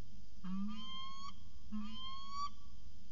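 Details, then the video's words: Two drawn-out, nasal whining wails, each about a second long and rising slightly, from a peregrine falcon pair at CSU Orange during a long afternoon exchange on 13 January 2019, over a low hum. "Peregrine Falcon Long Afternoon Discussion"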